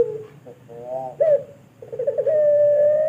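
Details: Pelung turtle dove in Sragen, Indonesia, recorded for training other birds. Soft broken coos and a rough rolled note lead into a throbbing pulsed onset, which settles into a steady, sustained, humming tone.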